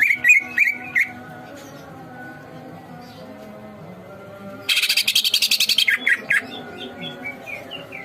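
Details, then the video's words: Greater green leafbird singing vigorously on a masteran track. It opens with a few bright whistled notes, falls silent, then breaks into a dense rattling chatter of rapid harsh notes and trailing soft whistles, over a faint steady hum. "masteran cucak ijo gacor"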